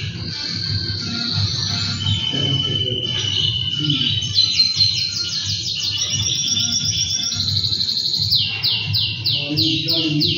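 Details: Caged two-year-old male canary, singing when its owner comes near: a long, bright song of rolling trills and rapid repeated notes. It opens with a sustained high tone, moves into rising and falling rolls, and ends in quick downward-sweeping notes.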